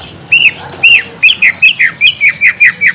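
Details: Greater green leafbird (cucak ijo) lure song meant to draw an answer from a young untrained bird: two arched whistles, then a steady series of about ten short, down-slurred notes, roughly three per second.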